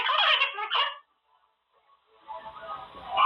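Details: Pet monk parakeet (Quaker parrot) in his cage, where he practises words: a harsh, voice-like burst of about a second, then quiet before a soft rustling, scratchy noise builds.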